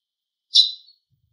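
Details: Eurasian tree sparrow giving its everyday call note: one short, bright chirp that fades quickly, with silence all around it.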